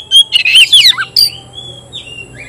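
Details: Oriental magpie-robin battling a rival in song; one dense second of loud, rich, warbling chirps and squeaks, a single sharp note after, then faint thin whistles.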